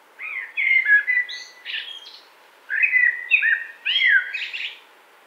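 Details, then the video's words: Common blackbird song in spring woodland, 2017: two full phrases of rich, flute-like warbles, each finishing with squeaky high twitters, with a clear gap between them. "spring wood by warbles of common blackbird"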